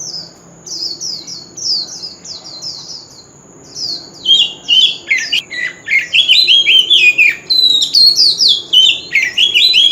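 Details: Oriental magpie-robin with a wild-type voice, used as a lure song for singing contests. Faint high downslurred notes repeat at first, then the bird breaks into loud, rapid, varied whistled phrases with sharp swoops and trills.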